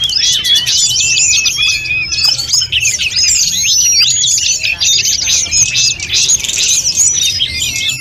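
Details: Snowy-browed flycatcher in lively, continuous song full of inserted phrases, recorded to train other birds: an unbroken stream of high chirps, trills and quick slurred whistles lasting several seconds.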